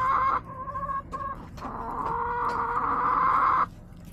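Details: Backyard chickens filmed by a yard camera on March 24, 2024: after short harmonic clucks, a long, loud, steady drawn-out crow holds for about two seconds before stopping abruptly, with faint background noise.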